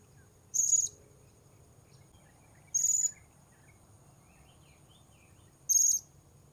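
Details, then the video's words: Blue-crowned hanging parrot (serindit) calls heard while luring wild birds at a new spot: three short, very high, thin buzzy notes spaced two to three seconds apart over a faint low hum. "Memikat Serindit Di Port Baru"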